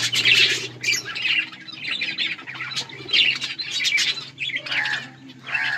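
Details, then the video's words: Budgerigars chatter with loud squawky chirps and rapid warbles over a steady low hum, several birds calling together while eating and playing. "Budgies beautiful colors playing and chirping"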